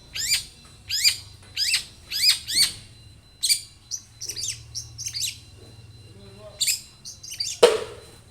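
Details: Long-tailed shrike in a lively, varied song meant to draw other shrikes into singing: harsh, high notes sweeping downward, each roughly half a second apart, then mixed scratchy phrases, and one loud click near the end over a faint hum.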